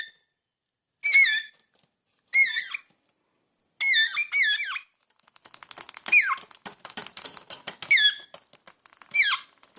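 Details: Hungry pet parrots indoors calling with repeated bright, wavering squawks, first in separate bursts then in a dense run of rapid clicks and short squeaks.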